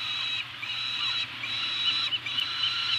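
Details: At a food drop on Anacapa, 28 May 2018, two Peregrine falcons give drawn-out rasping wails, each about a second long. The wails are broken by short pauses and have slight pitch wobbles, over a low background hum.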